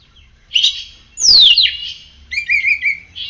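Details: Caged oriental magpie-robin singing after morning sunning: a buzzy chirp, a loud whistle gliding steeply down, then a wavering trilled whistle with scratchy overtones.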